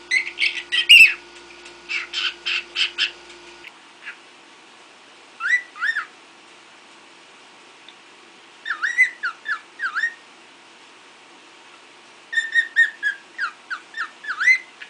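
A cockatiel gives bursts of harsh, chattering squawks and short rising whistles, with pauses between.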